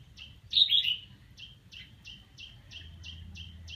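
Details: Practising red-whiskered bulbul gives one bright, warbled, slightly descending phrase near the start, followed by a run of evenly spaced sharp high ticks and a faint low hum.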